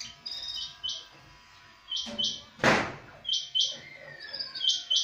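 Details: Sparrow chirping in clear paired notes, short bright chirp doublets repeated roughly every second, broken by a loud knock or thump near the middle.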